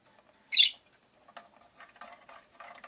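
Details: Caged rosy-faced lovebird near a window gives one loud piercing shriek, followed by quiet scratchy chatter.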